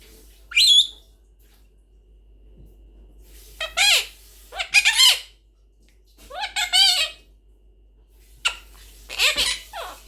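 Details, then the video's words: Blue Quaker parrot, a monk parakeet, speaking indoors: a sharp rising squeak followed by several harmonic, speech-like phrases with slurred up-and-down tones, separated by short silences. "Talking Blue Parrot | Quaker Parrot Speaking | Quaker Parrot Talking"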